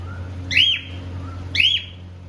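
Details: Cockatiel kept as a pet in India, happy and playing, uttering two loud upswept whistled notes one second apart, each sliding up then dropping, with a faint soft whistle between and low background hum.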